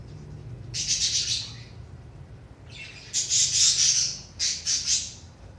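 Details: Budgerigar sound meant to stimulate inactive budgies: two bursts of harsh, buzzy high-pitched chattering, the first about a second long, then a longer scratchy warble broken into pulses, over a faint low hum.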